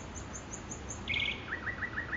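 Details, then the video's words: Nightingale song recorded in Makoui park: a run of very high, faint ticks, then a buzzy rattling burst, followed by five clear downslurred whistles repeated at an even, quick pace. "صدای بلبل خفن در پارک ماکوئی"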